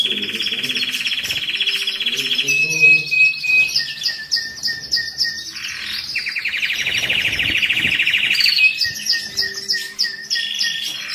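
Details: Canary song meant to excite males and ready females for mating during the moult and rest period: rapid rolling trills alternating with short repeated whistled notes and a lower chattering phrase, varied and continuous.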